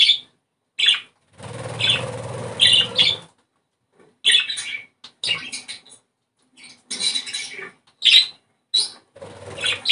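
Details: Budgerigar chatter played to encourage breeding condition, scattered warbling notes among broader scratchy noise and flutter-like sounds, with frequent silent gaps.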